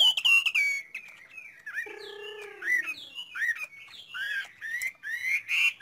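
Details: Chinese hwamei singing a rich, varied song of fluty gliding whistles and warbles, broken by a lower, buzzy note in the middle.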